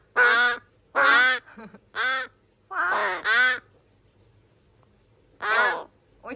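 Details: Three rescued crow chick siblings begging as food arrives, filmed July 2022 during their care after being found in a garbage bag. Loud, coarse caws come in a run, some doubled, then a two-second pause before another harsh call.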